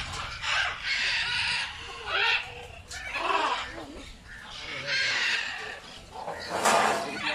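Macaws give harsh, raspy squawks, about five loud bursts in seven seconds at an uneven pace, some voices overlapping.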